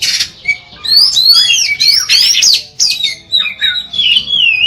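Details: Oriental magpie-robin song used to prompt other magpie-robins to sing, described as continuous and long and clear: loud, varied high whistles and rapid trills, sliding up and down in quick phrases with brief pauses, some harsher squawky notes mixed in.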